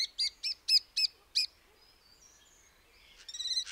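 Common starling giving six quick, harsh, nasal notes about a quarter-second apart, then a pause and a buzzy, rattling burst.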